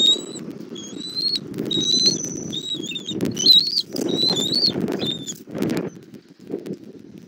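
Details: Bald eagle delivering food to its chick at a southwest Florida nest, evening of 1 April 2024: a run of high, drawn-out whistles with rising and dipping inflections, then silence, over gusty low wind rumble.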